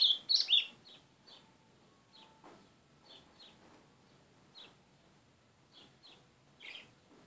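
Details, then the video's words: White-throated seedeater calling: a loud burst of high chirps at the start, then short, sharp high notes repeated irregularly about every half second, growing softer, over a quiet background. "GOLINHA CHAMANDO MUITO"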